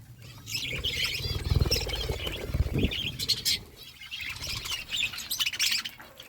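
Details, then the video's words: Several budgerigars eating as a flock give dense high chattering and warbled chirps, while louder low rustling and thumping fills the first half. "Beautiful budgies flocks birds eating food"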